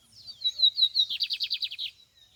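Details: Lined seedeater in open country: short sweeping high whistles building into a loud buzzy trill of about a dozen rapid, regular pulses, ending abruptly in near silence.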